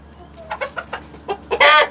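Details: Close, loud clucking from a backyard chicken flock that includes Light Brahma, Barred Plymouth Rock and White Leghorn hens: about seven quick, separate clucks that build to a harsh, broad squawk at the end.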